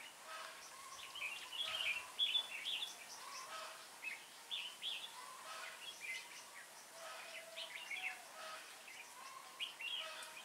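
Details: Red-whiskered bulbul singing during a trapping session on 19 January 2018, a decoy bird calling wild birds in; short bright warbled phrases at irregular intervals, with lower steady whistled notes and a soft hiss of outdoor background noise.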